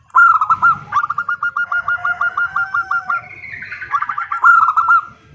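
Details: Female zebra dove calling the male: a loud opening coo, then a long rapid string of rolling, stuttered notes, softer overlapping tones, and a final bright burst.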